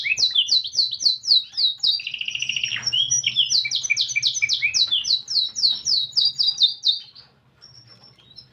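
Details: Canary singing vigorously in a unique cengkok song style: rapid runs of repeated high, down-slurred notes, a lower buzzy rolling trill in the middle, then more quick repeated notes before fading to near silence.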